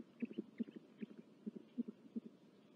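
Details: Great horned owls with chicks at a California nest, recorded February 19, 2023 by a nest camera, give a quiet series of low throbbing pulses roughly every third of a second.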